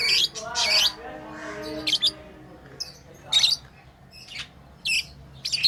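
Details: Chirping from pet lovebirds while playing: sharp shrill bursts spaced irregularly, with a lower, softer tonal sound early on, over a steady hum.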